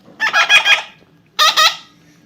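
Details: Parrot talking: two raspy, harmonic word-like phrases, the first longer with several pulses and the second shorter, separated by a brief pause over a quiet background.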